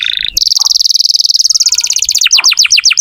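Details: Canary in full, continuous song, used as a lure to prompt young or silent canaries to sing: a brief high note, then a fast, even, buzzy trill held at one high pitch, breaking into a series of quick, sharply descending slurred notes.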